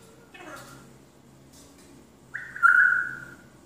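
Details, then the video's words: Pet African grey parrot imitating sound effects: soft rustling and faint murmurs, then a loud, drawn-out whistle that holds steady and slides slightly lower before fading. "Modern parrot making all sound effects"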